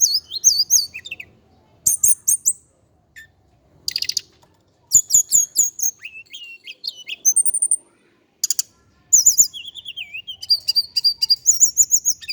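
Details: Javan indigo flycatcher male in full song: long runs of high, sweet twittering and slurred whistles, quick chips and trills, with short silent gaps between bursts.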